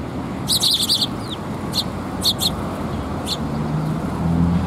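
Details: Sparrows coming to be fed at a Tenmangu shrine on 8 October 2021: short, high chirps in quick clusters, then scattered single notes, over a steady low rumble of traffic.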